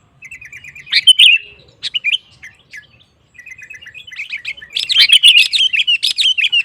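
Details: Sooty-headed bulbul in full song, used to provoke rival males into singing: soft rapid chirp series, a loud burst, a brief pause, then a fast run of bright, bubbly chirps.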